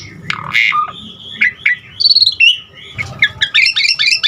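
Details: Asian pied starling with a mimicry-rich song meant to set other starlings singing: rough squawks and short whistles, a buzzy mid-section, ending in quick chirpy high notes.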